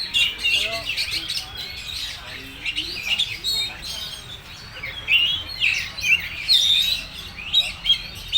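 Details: Kacer, the oriental magpie-robin, delivering its full materi song: varied whistled phrases and clipped chirps in rapid succession, with louder sharp notes grouping in the second half.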